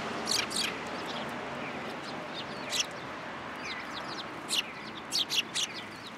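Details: Sparrows coming to be fed at a post at a Tenmangu shrine on 7 January 2023; scattered high chirps over a noisy outdoor background, with a small cluster of chirps toward the end.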